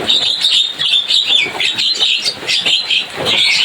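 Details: Javan myna chatter: rapid, uneven bursts of shrill chirps and rasping squeaks, pulsing roughly every half second over a constant busy background.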